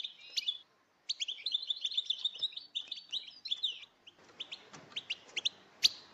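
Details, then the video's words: Calling female European goldfinches in a chorus meant to stir males to sing: a rapid, tinkling run of high chirps, a short pause, then sparser single and double notes. "بتبتات,اناث الحسون🎶الاقوى لتهييج الذكور"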